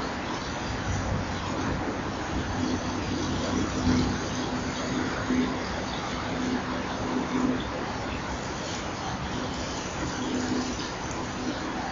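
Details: Steady broadband outdoor noise with a faint low hum, like distant traffic; no clear animal call stands out.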